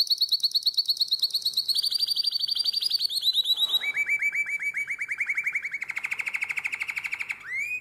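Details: In nightingale-voiced song, a canary from Drama, 2017, runs a high fast trill that drifts lower. It then switches to a long series of rapid lower rolled notes that grow buzzier, ending in a rising slur.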